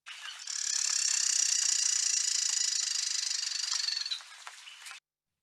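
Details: A female Carolina wren gives a harsh, very high, buzzy rattle running unbroken about three and a half seconds: her song equivalent, aimed at another female, telling her to back off.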